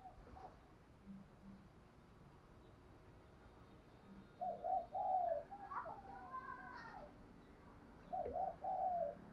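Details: Morning cooing of a spotted dove in Đồng Nai, Vietnam: two low hollow phrases, each of short notes leading into a longer coo, several seconds apart. Higher chirps from another bird fall between them, over a quiet rural background.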